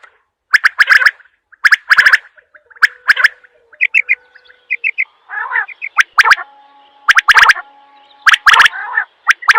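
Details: Quail giving sharp, clicky three-part calls in quick bursts about once a second, with softer high piping notes and a raspy, buzzy phrase in the middle.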